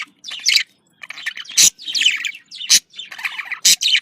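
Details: Budgerigar contact calls, described as happy: scratchy chirping phrases about one per second, each with a sharp loud click, separated by brief gaps.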